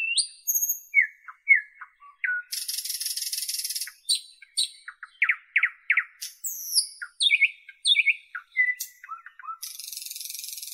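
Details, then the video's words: Northern European common nightingale in full song, mixing high thin whistles, long rattling buzzes, fast repeated slurred chirps and varied phrases in quick succession, with short pauses between bursts; no other birds or noise. "Northern European Nightingale Birdsong"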